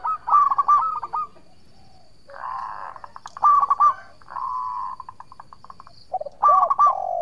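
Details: Local zebra dove singing actively, a lure recording meant to make rival birds answer: short bursts of soft, quickly repeated cooing notes separated by pauses, with a second, lower cooing voice overlapping.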